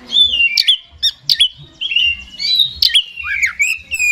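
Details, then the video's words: Oriental magpie-robin (kacer) with an 'ekor goceng' tail type, a very vocal 'gacor' bird singing in 'ngeplay konslet' style: loud, clear whistled phrases that slide up and down, broken by sharp chipping notes in quick, unbroken succession. "Suara Kacer Super Gacor Ngeplay Konslet Ekor Goceng || Langsung Nyaut"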